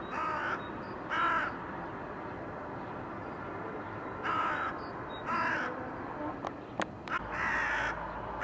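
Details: Harsh crow caws recorded in 2022 beneath a blue sky, coming in pairs with long gaps between them, plus a few sharp clicks near the end.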